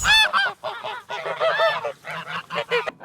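A goose gives a quick series of harsh, nasal honks, about six in three seconds, some rising and falling, with no other sounds.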